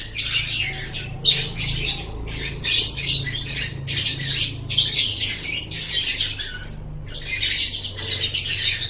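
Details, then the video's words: Near-continuous harsh lovebird chattering from a training recording for pet birds, buzzy high notes in long bursts broken by very short pauses. "Masteran Suara Burung Love Bird"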